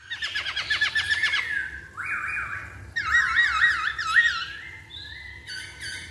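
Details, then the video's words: Masked laughingthrush lure song: rapid rattling notes, then varied whistled phrases that rise and fall, sliding and wavering, with faint low background hum. "Pancingan Poksay Hongkong Paling Ampuh"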